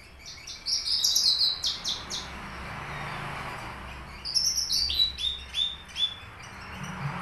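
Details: Horsfield's bush lark of subspecies aliena, Papua, a caged bird kept three years that sings finch fills: two groups of quick, high, chattering trills separated by a pause, over soft hiss.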